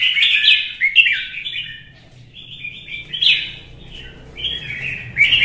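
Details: Red-whiskered bulbul singing in a fighting contest, opening with loud, rich warbles, followed by quieter flat whistled phrases and a final lively burst, with a faint low hum behind.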